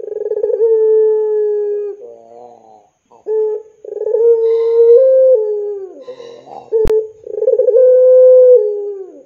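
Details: Puter pelung dove giving its drawn-out coo to coax young doves to sing: several long, steady mid-pitched tones, each starting with a rapid rolling flutter, with short softer notes and brief breaks between them.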